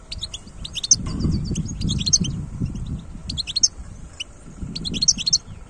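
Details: European goldfinch of wild origin, 2022, giving quick clusters of high, sharp twittering notes in separate bursts, with a low rumbling background noise running under most of the song.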